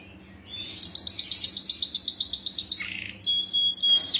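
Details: Canary singing a long gacor song meant to coax young canaries into singing; a fast, even, buzzy trill of high repeated notes runs for two seconds, then a short pause before sharper high notes return.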